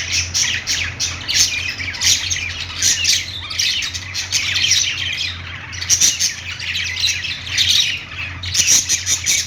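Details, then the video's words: Budgies playing: bursts of squawking chatter and sharp chirps repeating roughly every one to two seconds, a brief lull near 4 seconds, and a constant low hum below. "budgies playing sounds | parakeet chirping sounds"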